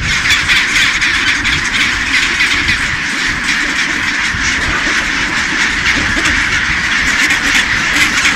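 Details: Chinstrap penguins in one of the world's largest colonies at Baily Head, Deception Island, South Shetland Islands, Antarctica: a dense, unbroken chorus of harsh, raspy calls from many birds at once, over a low rumbling background.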